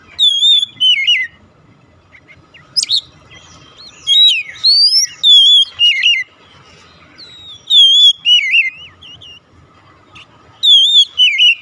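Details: Oriental magpie-robin singing, used to get a silent bird going: groups of loud whistled phrases with downward warbles and sharp high flicks, separated by short pauses.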